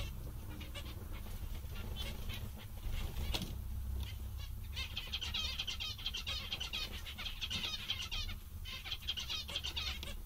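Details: Cheerful, contented zebra finches chattering in a group: rapid runs of buzzy, nasal calls come in bursts, with a sharp click near the start and a low background rumble throughout.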